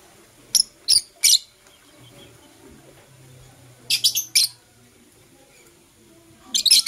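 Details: Morning sounds of kissing Blue Opaline and Euwing Opaline lovebirds: three quick shrill chirps, a pause with a low hum, then another triple burst and a final cluster of harsh high notes.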